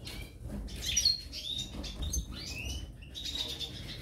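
A European goldfinch pair twitters in a rapid, tinkling run of high liquid notes and short buzzy trills, with a low background hum.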